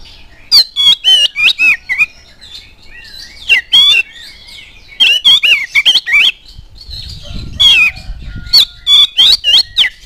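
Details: Oriental magpie-robin in full song, used as a lure to prompt other magpie-robins to sing: loud, rapid bursts of sharp whistled and harsh notes, some with a 7.5-second burst, separated by quieter warbling passages.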